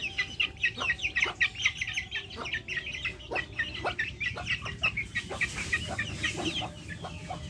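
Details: Several backyard chickens give rapid, overlapping high chirps and peeps. The dense chatter thins after five seconds as a soft hiss of background noise rises.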